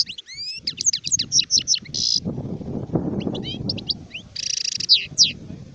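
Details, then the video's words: Adult European goldfinch in 2019, delivering quick sliding chirps and repeated twitters broken by two harsh buzzy trills, with a soft low rumble in the background. "تغريد حسون كهل (شارف)"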